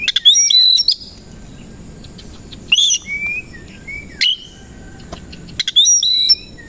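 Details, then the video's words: Kacer koci, an Oriental magpie-robin, singing in the morning while puffing up and spreading its tail: loud, sharp high bursts of twisting whistled notes about every one and a half seconds, with soft sliding whistles between. "KACER KOCI NGEBYAK BUKA EKOR DI PAGI HARI"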